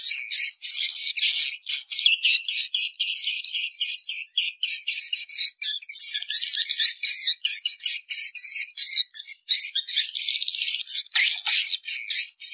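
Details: Many edible-nest swiftlets calling, played to draw swiftlets into nesting houses for swiftlet farming: a dense, continuous stream of high, rapid chirps and twitters, overlapping without pause, with a brief lower note near the end.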